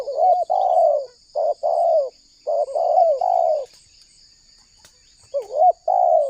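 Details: Spotted dove calling to lure and trap wild doves. Mellow low coos come in clusters of three or four, each opening with a quick up-and-down note, followed by a pause. A thin, constant high-pitched hum sits in the background.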